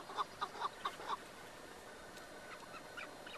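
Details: Caged chukar partridge used in a hunt, filmed eight years earlier: a quick run of five loud, clipped clucking notes about a fifth of a second apart, then quieter scattered notes over steady background hiss.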